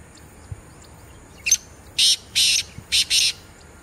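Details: Black francolin giving its breeding call on the Chinab banks at Jourian, Jammu and Kashmir, India: a harsh, grating phrase of one short rasp, then two long buzzy bursts and two quicker ones, with faint low background noise.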